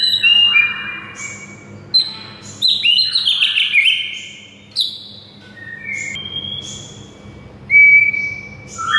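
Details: White-rumped shama training song for a silent bird: loud whistled bursts and harsh slurred notes, softer scattered whistles in the middle, and a sharp clear whistle near the end.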